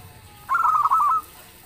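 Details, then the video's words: Loud song of a local zebra dove, the kind said to make other birds reply: one brief phrase of rapid, rolling coo notes lasting under a second, steady in pitch, then quiet. "suara perkutut lokal gacor_dentuman suaranya bikin yg lain nyaut"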